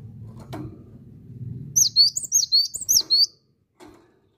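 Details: Cinereous tit (gelatik batu) singing vigorously: after a low rumbling background, six loud, high, piercing two-part whistles come in fast succession, then silence and a faint knock.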